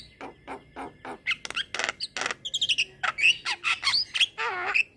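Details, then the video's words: Energetic Javan myna delivering a long rolling song meant as a model for other mynas: broad raspy notes in a steady series, then scattered high whistles and a trailing warbled phrase. "Jalak Kebo Gacor Ngeroll Panjang"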